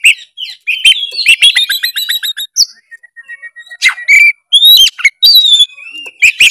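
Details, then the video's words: Oriental magpie-robin in energetic full narung song, used to spur a silent bird into singing. Fast stuttering trills open the clip, then a thin sustained whistle, followed by sweeping whistled notes and sharp chips. "suara kacer gacor full narung"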